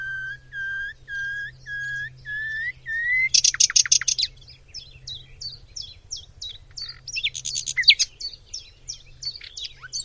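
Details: Common nightingale from Macedonia: a series of slow, even whistled notes rising slightly, then a burst of explosive high rattling, followed by rapid clipped chirps and another dense trill.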